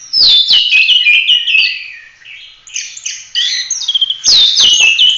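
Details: Lively Oriental magpie-robin song in 'tembak' full-roll style, meant for training other birds: loud downslurred whistles, a quieter twittering middle, then renewed bright phrases with clicks.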